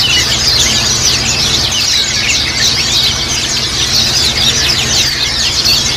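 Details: Dense chorus of Japanese white-eyes kept in a group, played to encourage other white-eyes into quick chattering song; shrill, unbroken overlapping chirps with a thin sustained whistle and low background hum.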